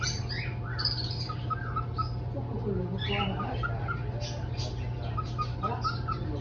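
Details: Tame pet cockatiel making short, sharp chirps and brief rising whistles scattered across the clip, over a person's soft talking and a constant low electrical hum.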